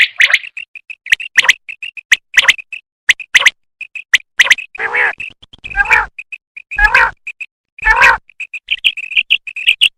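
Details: Female common quail calling, linked to quail hunting: short high chirping notes repeated irregularly, mixed with sharp clicks and a few louder, harsher, nasal calls in the middle.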